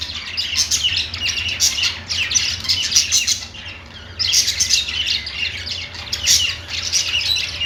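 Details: Budgies chirping while perched, a busy flock chorus of quick high chirps and raspy chatter in waves, dropping briefly quieter near the middle before resuming, over a faint low hum.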